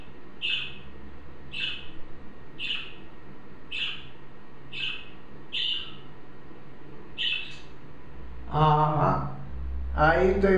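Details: Budgerigar (common parakeet) giving bright, short chirps, about one a second, seven in a row, then louder, rougher harmonic notes at the end over a low background rumble; its note is identified as roughly F5.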